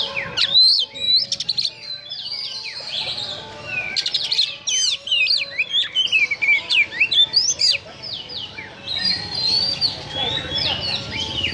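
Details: Harsh, energetic song of a kacer (Oriental magpie-robin), a style meant to stir up emotion: loud bursts of sharp up-and-down whistles and scratchy trills in rapid phrases, separated by brief gaps.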